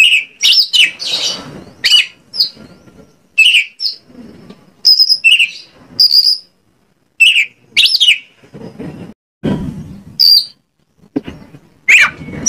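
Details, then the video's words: Lively Oriental magpie-robin song used as a lure to make other birds respond: bursts of sharp whistled notes, held high whistles and quick chattering phrases, repeated with brief silent gaps between them. "PANCINGAN KACER AGAR ON MAU NGOBRA !! KACER MANAPUN PASTI LANGSUNG NYAUT"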